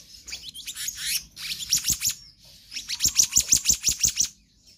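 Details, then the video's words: Crisp rapid chip notes in two steady series follow a softer scratchy warble, from a magpie-robin's konslet song with full variations. "Kehicap Ranting Gacor Konslet Full Fariasi"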